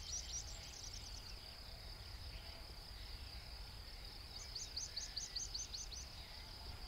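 Meadow pipit giving thin, high 'tsip' notes in quick little runs, one at the start and another near the end, over steady low wind rumble.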